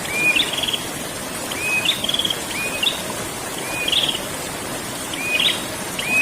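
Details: Prinia, known as prenjak, singing ngerol: six whistle-then-trill phrases in quick succession, about a second apart, with constant broadband hiss underneath.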